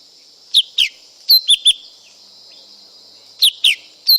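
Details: High, clear whistled phrases from a lesser green leafbird, paired downward-sliding notes followed by short level whistles, with a pause before another pair; constant faint hiss behind.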